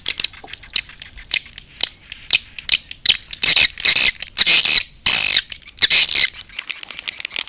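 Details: Edible-nest swiftlet calls used to lure birds, red-nest type: dense, shrill, high chirps and twitters in irregular bursts, building to louder buzzy clusters after the third second, with brief pauses between.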